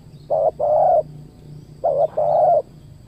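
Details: A spotted dove cooing at a luring site beside a durian orchard, with a trained decoy in use. Two phrases each hold a short note then a longer, steady, mellow coo, about a second apart, over a faint low hum.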